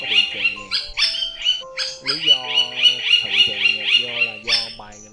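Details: Rufous woodpecker (Micropternus brachyurus), flock-call recording for calling the flock together: a fast run of about eight high, nasal notes, roughly three per second, over steady tonal music-like background sounds.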